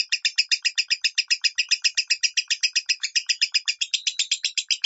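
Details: Lovebird 'minor' tone, played as a training tutor: quick, regular chatter of harsh, high chirps, around seven or eight a second, continuous and steady in volume.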